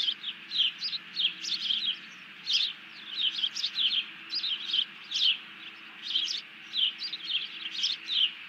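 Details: Bald eagle alerting after grabbing a fish on 31 July 2020, while a second eagle hits the deck; clear series of high, piping chirps in short bursts, about two per second, for over eight seconds.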